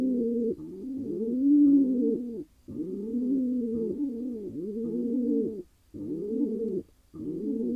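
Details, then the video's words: Wild male pigeon, Israel, celebrating a new mate with deep rolling coos in several extended bursts, notes swelling and dipping, with short pauses between bursts. "He got his lady: Pigeon male happy after finally finding a mate."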